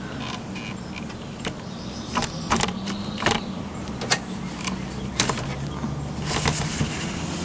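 Rattling, creaking mechanical noise with a steady low hum and repeated sharp clicks, with no animal voice heard.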